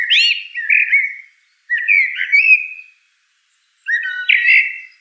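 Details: Common blackbird (Turdus merula) song of three mellow, whistled caroling phrases with rising and falling notes, brief pauses between them, and faint high twitters trailing each phrase; no other sounds.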